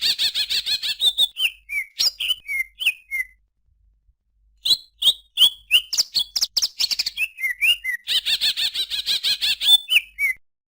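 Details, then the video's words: Greater green leafbird: varied, fast song of rich chattering phrases and downslurred whistles, with a pause midway before quick bursts of sharp notes resume. "suara burung cucak ijo"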